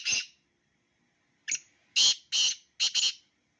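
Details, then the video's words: Pair of black francolins, one harsh rasping burst, a pause, then the full phrase of a short grating note, two strong scratchy blasts and a quick doubled ending. "Black francolin _beautiful sound of two birds"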